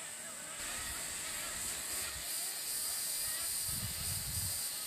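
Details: Two wood stork chicks in a nest in Big Bay Swamp at Birdsong (2012) beg as a parent approaches to feed them: harsh, breathy hissing chatter, pulsing several times a second, mostly high-pitched, over low rumble.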